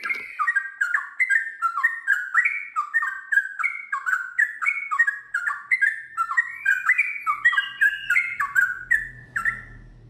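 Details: Sooty-headed bulbul, known locally as trucukan, in a long ropel after ngiwir phrases: ten seconds of fast, bubbling whistled notes rising and falling in a steady rolling cascade, with a faint low rumble near the end.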